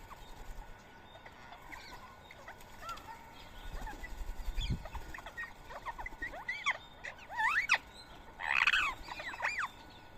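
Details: Rose-ringed parakeets feeding on soaked boiled rice at 7 a.m. on a Sunday morning, 31 March 2024, in Coimbatore, India; a chorus of sharp, rising and falling screeches, growing busier and louder toward the end, with a soft thump midway.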